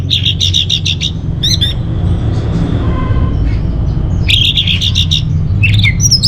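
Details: Orange-headed thrush, a caged songbird from Singaraja, Bali, singing as a lure and master song: fast repeated chattering notes at the start, a quiet gap, then a renewed rapid run of bright notes and a rising whistle, over low hum.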